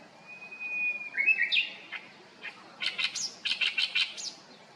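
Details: Great reed warbler singing a lively, noisy song, its phrases heard as "chotto koi" (come here). A thin, drawn-out whistle comes first, then bursts of harsh, grating, chattering syllables.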